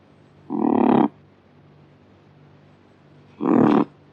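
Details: Kakapo delivering two hoarse, croaking squawks about three seconds apart against a faint low hum.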